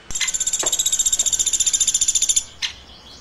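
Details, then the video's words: Woodpecker chirping in a long, even, rapid series of high pulses for over two seconds, ending in silence and a single sharp click. "Woodpecker Chirping"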